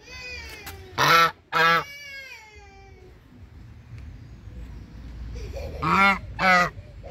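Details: Brown Chinese geese, hungry, honk in two pairs of loud, raspy calls with a quiet gap of several seconds between the pairs. Each call is short and trumpet-like.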